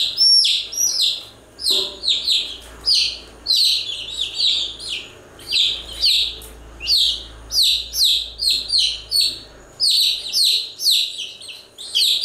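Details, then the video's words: Constant chirping of chicks, high piercing peeps that fall in pitch, delivered in dense clusters that repeat steadily throughout with brief gaps between groups. "Continuous Chirping sound of Chicks"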